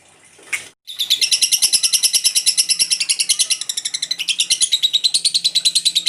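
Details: After a brief sharp noise and a moment of silence, a lovebird launches into a long ngekek chatter. It is a rapid, even, high buzzing trill of repeated pulses that continues for about five seconds without pause.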